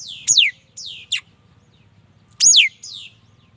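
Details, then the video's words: Mi dat bird singing: bright falling whistles with softer downslurred echoes and a short high note. There is a pause, then another strong descending phrase, over a soft low background murmur. "Tiếng chim mi đất hót chuẩn"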